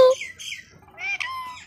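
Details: Talking Indian ringneck parakeet, a pet bird, giving a brief whistled note then nasal, harmonic speech-like syllables with a scratchy parrot timbre.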